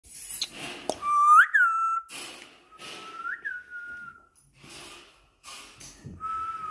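An African grey parrot gives long, steady mid-pitched whistles, a few ending with a quick upward flick, separated by short clicks and rustling noises.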